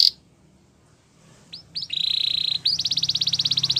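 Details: Belgian canary singing for training after a short quiet pause: a couple of upswept notes, then a sustained buzzy trill and a higher pulsing roll; faint low hum throughout.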